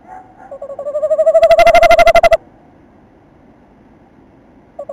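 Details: Male tawny owl calling during a nest visit on 27 December while the female stays outside the entrance. One long rising call turns into a fast tremolo, then silence, with a brief note starting at the end.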